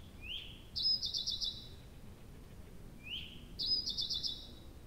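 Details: Night-singing nightingale, Abramtsevo, early June 2021: a soft upward-sliding whistle followed by a loud, rapid, rattling trill, the whole phrase given twice about three seconds apart against a quiet background.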